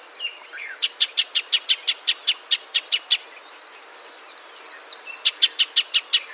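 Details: Dry, clicking chips poured out rapidly by a Shining sunbird in desert scrub, a long run then a pause and a shorter run, with a continuous shrill background hum.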